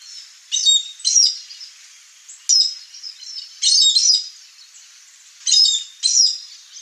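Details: Chestnut-eared aracari, free in nature and visiting a Brazilian Cerrado backyard, repeating shrill grating notes in pairs, about seven bursts in seven seconds, over a quiet rural background.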